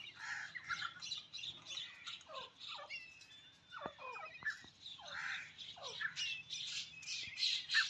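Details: Grey francolins, said to be a male and a female, give loud, harsh, squawking calls in quick overlapping bursts, several notes a second, sliding down in pitch; a second bird seems to answer.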